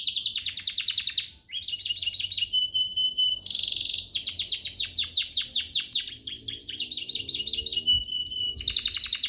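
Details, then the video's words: Canary master song for training: dense high trills of repeated down-slurred chirps, steady whistled tones, a brief noisy burst, then more rolling chirp series. "Masteran Mewah Spesial agar burung kenari cepat GACOR"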